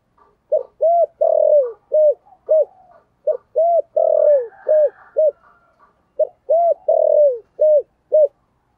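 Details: Spotted dove cooing in the Vietnamese 'giọng thổ' style, used as a lure call to draw wild doves in; mellow, low hooting coos in repeated phrases of short notes with one longer falling coo, three phrases in sequence, clean and quiet background.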